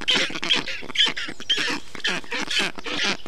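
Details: Black stork storklets in an Estonian nest, 20 June 2021, being cooled in the heat by a parent bringing water and wet moss; raspy, wheezing calls pulse about twice a second, with brief sharp high notes among them.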